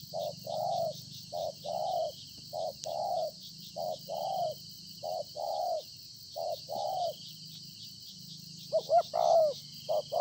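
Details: Field-caught spotted dove, a decoy bird noted for fine cooing, recorded 26 September 2020, giving a long series of short soft coos in pairs and singles, then a faster cluster of clipped notes and a drawn croon, over faint low hum.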